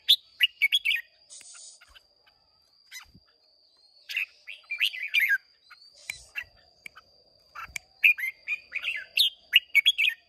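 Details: Red-whiskered bulbul, caged contest bird of Hòa Bình origin, Vietnam, recorded 30 May 2023, delivers dense repeated bursts of lively warbled, chirping phrases, about three per second at peaks, with brief pauses and a faint steady high hum.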